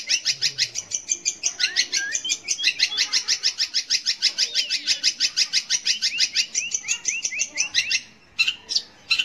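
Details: Long-tailed shrike song played to provoke young or silent shrikes into singing: a fast, chattering run of high buzzy notes about three per second, with rising and falling slurred whistles woven in, ending in a few separate bursts.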